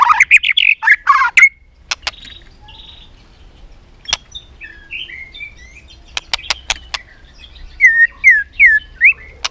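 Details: White-rumped shama singing rich, varied whistled phrases, a rapid warbling burst, sharp clicks and looping rising whistles, while tail-flicking; used to provoke competitive singing.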